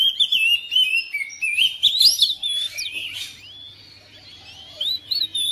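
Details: Home-kept oriental magpie-robin responding within seconds to another bird, pouring out varied sweet whistles and fast warbles, then a softer sustained note before a last rising phrase; faint low hum behind.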